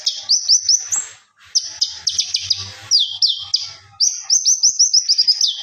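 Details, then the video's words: Master recording of a common iora in full gacor song until ngobra: high, piercing whistled notes and quick sweeping slurs strung into rapid phrases, broken by a brief silence, with faint low thumps underneath. "MASTERA BURUNG KONIN GACOR SAMPAI NGOBRA"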